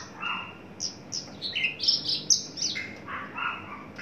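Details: Captive adult male Horsfield's bush lark, tame and beginning breeding condition, very loud in life. A varied run of high whistles, quick downslurs and harsher mid-pitched chirps, notes following each other roughly twice per second.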